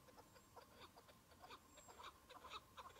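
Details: Chukar partridge in spring with patches of snow on the ground, during a partridge hunt, one bird calling: a loose run of short, clipped notes, fairly faint and uneven, over steady background hiss.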